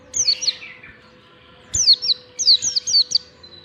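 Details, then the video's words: Oriental white-eye in ngalas song, long standard style, serving as a lure for young white-eyes learning to sing: rapid runs of high, downward-slurred whistles, the later phrase longer and busier, over a faint steady hum. "pleci ngalas standar panjang BUAT PANCINGAN PLECI BELAJAR NGALAS"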